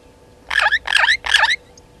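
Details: Burchell's starling (Lamprotornis australis) calling at a waterhole dam in the Sabi Sand, South Africa, 15:58, 18 September 2019: three quick, harsh, chattering bursts in about a second, raspy jumbles of squeaky, slurred notes, over a faint steady hum.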